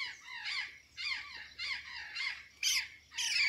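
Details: Azure jay, called blue bird or gralha azul, in Santa Catarina while eating banana and sweet potatoes; harsh squawking calls with descending notes, given in bursts about every half second to second.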